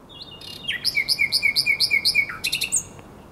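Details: At the Żerański Canal on the night of 23–24 April 2022, a common nightingale repeats one bright, two-part note about eight times in quick succession, then drops to a lower note and ends with a thin high whistle.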